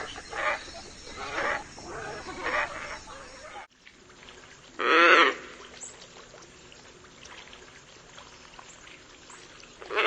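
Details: Scarlet ibis calls: several softer grating notes at first, then after a cut a single loud, harsh honk stands out, followed by quiet with a faint steady hum.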